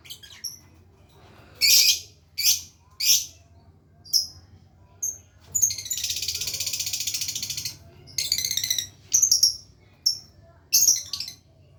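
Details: Lovebird learning its long ngekek trill, giving separate sharp high chirps, then a sustained buzzing rattle lasting about two seconds, followed by more chattering chirps and isolated squeaky notes.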